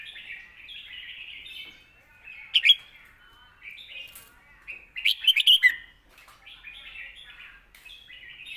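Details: Point-scoring song of a red-whiskered bulbul, recorded as a model for young birds: continuous chattering warble broken by two louder bursts of sharp, bubbly notes.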